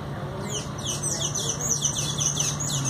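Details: Rufous-tailed hummingbird at its nest giving a fast run of thin, very high chips, each sliding downward, several per second, over a steady low hum.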